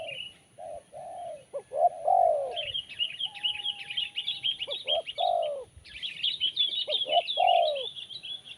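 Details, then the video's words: Cooing spotted dove with a crisp, sharp tone, repeating short hoot phrases while another bird's rapid high twittering song runs loudly over much of the recording. "Poin BL Kuk 1 Suara Mersik Tajam"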